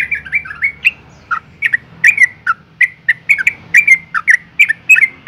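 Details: Female yellow-vented bulbul in breeding condition calling to males: bright chirping notes, some sliding down, repeated several times a second in an uneven, chattering series.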